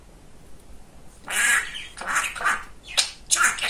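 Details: Male pet budgerigar, very talkative, speaking after a second of quiet: several scratchy, nasal word-like bursts, rising and falling, ending with two short sharp squeaks.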